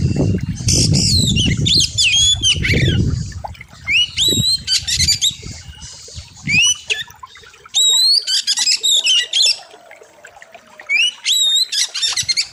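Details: Kacer (oriental magpie-robin) master song for bird training: repeated phrases of sharp hooked upslurred whistles mixed with rattling chatter, several bursts per few seconds, with low rumbling noise early on.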